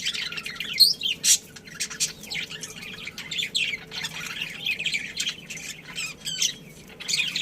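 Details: Softer chatter from a budgerigar colony kept as pets: thin, scratchy warbles and occasional sharp chirps rising and falling over a faint steady hum.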